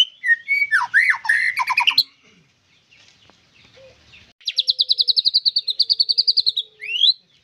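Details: A white-rumped shama sings a burst of mixed whistles, pauses for two seconds, then delivers an even, rapid trill of about twenty identical notes ending in one rising whistle.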